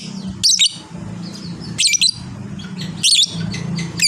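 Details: Lovebird of fighter type performing ngekek panjang chatter, sharp shrill squawks in short bursts about every 1.3 seconds, with faint softer chirps between and a steady low humming noise underneath.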